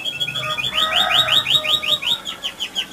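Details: Canary singing a loud, fast rolling song meant to provoke other canaries into singing: rapid repeated rising high whistled notes, about five per second, with trills before and after and a faint lower warble.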